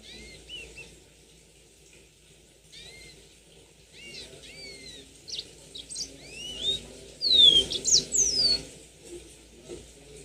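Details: A mozambik, the yellow-fronted canary, sings bright slurred whistles that start quiet and scattered, then grow into a louder cluster of sharp, rising and falling notes near the end, over a low background hum.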